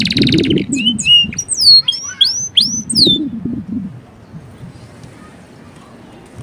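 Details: Male canary song for training, given as a short burst of varied whistled slurs and upward and downward sweeps over about three seconds, followed by near silence with a low background hum.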